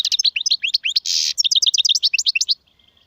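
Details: European goldfinch singing in the styles called Serfati, Gzirati and Tserseer: a fast, high twittering run of chirps and trills with a short buzzy rasp in the middle, ending abruptly.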